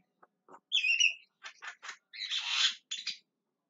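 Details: Javan myna (jalak kebo) calling repeatedly: a short run of harsh, broadband squawks and chattering notes with a few whistled slurs, broken by brief pauses.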